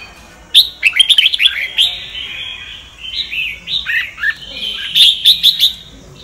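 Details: Red-whiskered bulbul singing in the Sông Kon style, a recording meant for training other birds' voices: quick clusters of sharp, whistled notes, then fluid warbling phrases rising and falling, ending in a rapid bright flourish.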